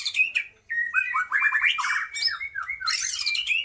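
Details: Loud white-rumped shama song mixing in lovebird, kapas tembak and pijantung gunung mimicry, with sharp chips, a level whistle, quick rattling note runs and a harsh high burst near the end.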